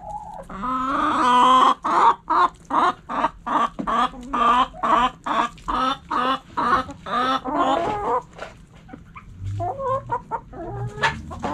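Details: Backyard hens clucking while eating, a steady string of short, hoarse, mid-pitched clucks repeated more than twice a second, softer clucking and a low hum toward the end.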